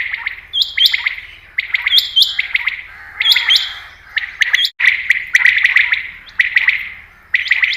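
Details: Common quail, known locally as batair, calling, a sound used for quail hunting: busy overlapping chirps and bright clicks in repeated short bursts, with a faint low hum underneath and a brief break midway.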